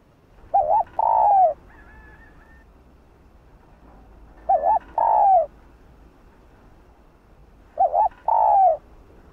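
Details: Three cooing phrases from a female spotted dove, used to rouse males to call, roughly every three and a half seconds. Each has a wavering double note followed by a fuller, slightly falling coo, against faint low hum.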